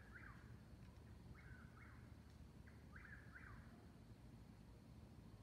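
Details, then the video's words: Two eastern whip-poor-wills dueling at 22:42 on 19 May 2021 near Davis Creek Road, Seneca, South Carolina, on a 69 °F night. Rhythmic three-part whistled phrases, each ending in a falling slur, come in quick succession over a low rumble. "Dueling whippoorwills"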